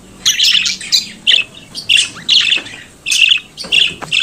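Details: Pet budgerigar, a parakeet native to Australia, singing and chattering: bursts of buzzy, squawky chirps centred high in pitch, coming in quick irregular phrases with short pauses between them.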